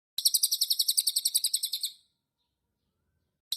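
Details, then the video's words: White-eye singing after being bathed: a quick, high, even series of about twenty bright chirps over roughly two seconds, then silence and the start of another chirp. "burung cililin habis di mandiin"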